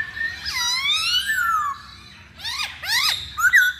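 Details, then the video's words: Masked laughingthrush song used as a lure: a long slurred whistle rising then slowly falling, a pause, then sharp downward-sweeping notes and a short bright ending phrase. "Pancingan Poksay Hongkong"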